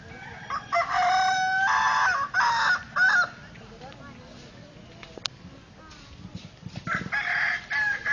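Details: At a crowing contest in Solok city, a Kukuak Balenggek rooster staked in the ground gives a broken run of four loud harmonic crow syllables. After a pause, another burst of crowing follows, with voices and a sharp click.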